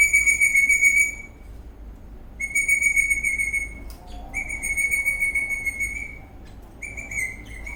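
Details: Dancing happily, an eastern rosella parrot repeats long, pure, level whistles, three or four in a row with brief soft chirps between them.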